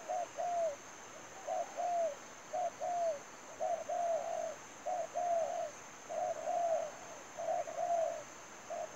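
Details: Spotted dove used to lure birds into a trap, cooing rhythmically in paired short and longer falling notes, about a dozen pairs in a steady run, with a constant faint high-pitched whine behind.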